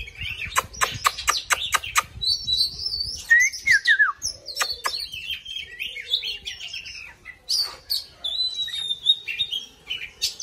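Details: An oriental magpie-robin sings as it dances: a burst of sharp clicking notes, then a long run of varied fluty whistles and chattering warbles with short pauses.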